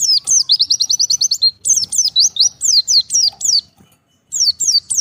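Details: Oriental white-eye separated from the flock, calling for companions: a quick trill of short high notes, then sharp falling slurred chirps, a short silence, and more downslurred chirps.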